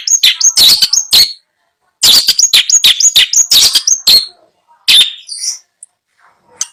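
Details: A long-tailed shrike, a bird for sale being chosen by a buyer, delivers rapid bursts of harsh, scratchy chatter mixed with high whistled notes, in quick runs separated by brief pauses.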